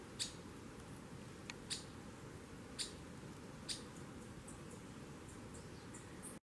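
A Streaked Flycatcher gives short, sharp squeaky notes at irregular intervals of about one to one and a half seconds, over a steady low rumble of background noise.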